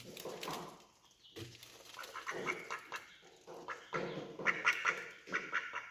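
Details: A male and female duck feeding side by side and nervous of the person nearby; soft scattered quacks and muttering calls mixed with rustling, growing into a clearer cluster of nasal quacks near the end.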